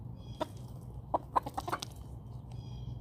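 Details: Chickens roaming a backyard, with a burst of quick, loud clucks, several close together in the middle of the clip, against faint distant birdsong and a low background hum.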